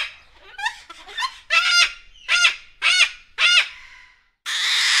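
A cockatoo gives four harsh, raspy screeches about half a second apart, with softer chatter before them and a hiss of noise at the end.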